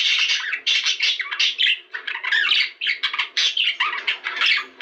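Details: Budgerigar chatter used to stimulate mating: rapid scratchy squawks and chirps in choppy bursts, several per second, with a few short rising notes mixed in.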